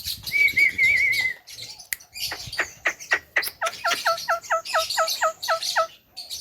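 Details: Javan myna in full song: a wavering whistle, a few dry clicks and harsh notes, then a rapid, even series of short, metallic two-tone chirps, about three a second.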